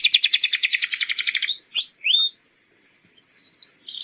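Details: Atlantic canary, a lure song for training young birds to sing, opens with a rapid buzzy trill of repeated notes, then three separate upslurred whistles; brief silence follows with faint chirps near the end.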